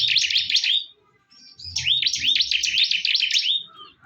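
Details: Bar-winged prinias in a fierce fight. A rapid burst of high, swooping chirps is followed by a brief silence, then a longer, denser run of quick chirped notes. Faint low rumble underneath.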